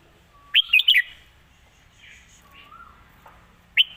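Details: Red-whiskered bulbul delivering a song praised for its phrasing and lightness: three loud, cheery whistled notes in a fast burst, soft slurred notes and a low whistle, then one final bright note.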